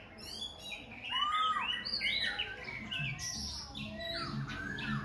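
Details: Khe Sanh laughingthrush pouring out varied high whistles and slurred notes, continually changing voice while dancing, over a faint low background hum.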